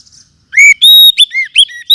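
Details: Forest oriental magpie-robin in a lure recording meant for tutoring cage birds: a short run of bright, pure whistles, one long level note among quick up-and-down slurs.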